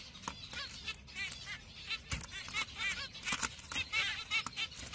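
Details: Pastel-mutation zebra finches give quick, nasal, tinny calls in a busy, overlapping chatter.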